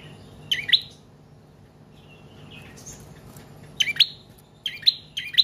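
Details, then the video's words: Bar-winged prinia song for training and luring other birds: scattered high piercing chirps with a thin, softer twittering phrase in the middle and a quick cluster of doubled notes at the end. "Prenjak Trotol/Paot Gacor Panjang Cocok Buat Pancingan/Masteran Burung Anda"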